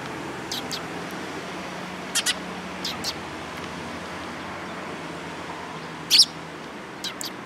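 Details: Eurasian tree sparrows gathering at food, recorded 26 October 2017: short bright chirps, some in quick pairs, scattered across several seconds over steady low background hum.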